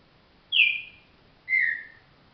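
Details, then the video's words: Green-winged saltator, called trinca virador, gives two clear descending whistles about one second apart over a low quiet background. "trinca virador"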